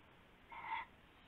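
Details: Owl at night, around 4 AM on 19 February 2016, during a rabbit prey handover: a single short raspy burst lasting about a third of a second, with a steady faint hiss behind it.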